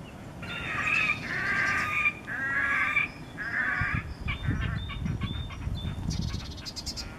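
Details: Red-necked grebe at Kissakoski, Finland, in April 2020 giving loud, nasal, braying wails about a second each, then faster squealing, chattering trills, over a low rumble of wind or water.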